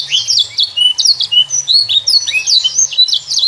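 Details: Young canary song for encouraging juvenile canaries to sing: dense high warbling, downward-slurred whistles and rapid trills strung together without pause, soft low hum beneath.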